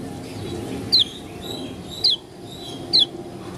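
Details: Oriental white-eye of the Lombok 'dakun' type, giving an unusual sound: three short, sharp, high descending chirps, each about a second apart, over low steady background hum.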